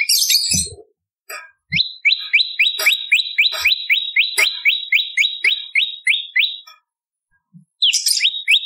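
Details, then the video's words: Bar-winged prinia song compiled as a tutor and lure for songbirds: a buzzy high burst, then a long even series of rising chirps, about four per second, with soft clicks. It fades to silence before a final brief buzzy phrase. "Masteran Prenjak Lumut ! Variasi Suara For Murai C Ijo Cungko / Pancingan Prenjak Gacor /Suara Pikat"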